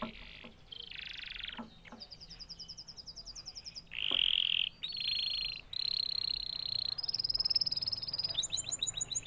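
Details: Canary singing a varied song in which rolled trills, rapid repeated notes at several pitches, and short steady buzzy tones follow each other without a break, the later phrases becoming fast pulsed rattles.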